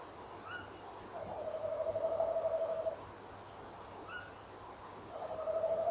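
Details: Tawny owl pair at 06:45 on 18 November 2013: twice a short higher rising note from the female comes just before a long, even, quavering trill from the rolling male, the two trills about four seconds apart.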